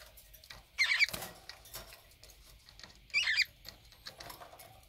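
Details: A conure pair bathing in drinking water and fighting: two harsh, shrill squawks about two seconds apart, with soft splashing and rustling between them.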